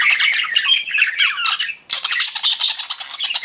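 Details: Pet budgies chirping in a steady, raspy chatter, a brief pause midway, then louder, hissier and more crowded squawking and twittering.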